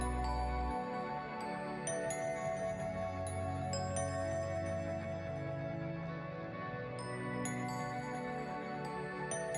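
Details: Calm ambient music with sustained tones and chiming accents plays throughout, without any animal sound.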